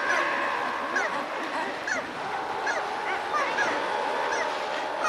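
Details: Razorbills give a dense, continuous chorus of harsh, honking, overlapping calls with bursts of louder grating notes; wingbeats and mild alarm calls are noted at the start of the recording.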